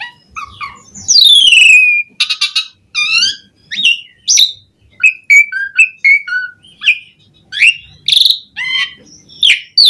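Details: Asian pied starling in varied song: a long descending whistle, buzzy rattles, then a string of short whistled notes and slurs, delivered rapidly and loudly.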